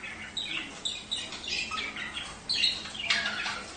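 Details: Budgerigars warbling to encourage mating: a run of squawky, chirping notes in short irregular bursts, with sharper squeaks toward the end.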